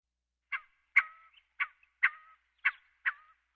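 Scaled quail giving nasal two-part calls, a sharp note then a drawn-out falling tail, repeated three times in quick pairs against silence.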